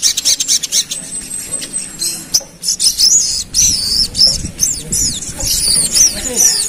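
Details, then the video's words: Pied fantail in rapid "ngerap" song used to agitate rivals: dense series of high looping whistled notes, rising and falling in quick succession, with other chirps and a busy noisy background. "Suara Sogon Ngerap"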